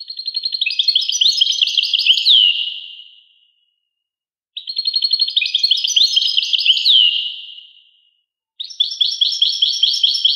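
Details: Goldfinch song repeated three times: bubbling, high-pitched twittering phrases of fast trilled notes, each finishing with a clear downward slur, with short silent gaps between.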